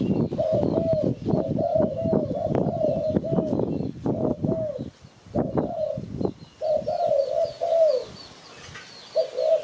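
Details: Spotted dove calling, used to attract birds for trapping: many rapid soft coos strung together over rumbling, crackling noise, then a cleaner drawn-out cooing phrase near the end.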